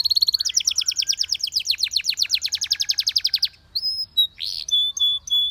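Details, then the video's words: Belgian canary singing amid canaries it set off: a long rapid trill of high notes sweeping slightly downward, then a pause and several spaced pure whistles and a short burst. "Unexpectedly, The sound of This Belgian Canary Attracted Many Canaries to Sing"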